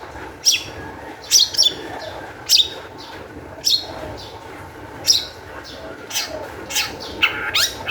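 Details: Long-tailed shrike in high-spirited song, used as a lure to set other shrikes singing; sharp, high chirps and squeaky notes come in separate bursts about once a second, with gaps of quiet background hiss between them.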